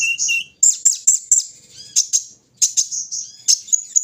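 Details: Kolibri ninja (olive-backed sunbird) out in the early-morning dew: sharp, very high chips spaced about every quarter second, then thin sweeping whistles and renewed bursts after a short pause.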